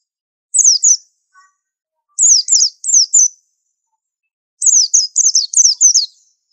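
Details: High-pitched white-eye song used as tutor material: one doubled descending note, a pause, a run of three slurred downward notes, then a faster burst of five, all thin and bright.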